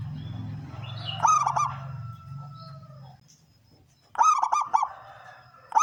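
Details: Loud 'kung' song of a male local zebra dove kept to lure wild doves. Two bursts of quick, clipped cooing notes are separated by a quiet gap, with a low droning hum early on.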